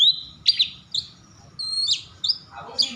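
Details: Worked-up Oriental magpie-robin (kacer) singing to trigger song in other magpie-robins: a string of clear high whistles and sharp chip notes with short gaps, ending in a harsh scratchy note.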